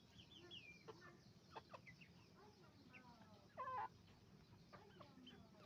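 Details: Roosters and hens on a chicken farm: a flock clucking and cackling in overlapping, harmonic calls, with a louder, drawn-out squawk near the middle over a steady low barn hum.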